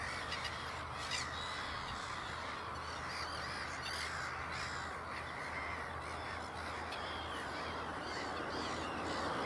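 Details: Black-headed gull with chicks in Ottersaat, Texel, the Netherlands; short harsh calls and arched squeals sound steadily through the stretch amid a dense hubbub of further gull cries.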